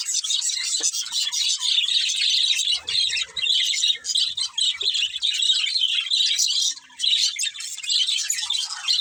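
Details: Budgies chirping in a dense, high, scratchy chorus of twitters and short squawks, with brief lulls around the middle and near the end.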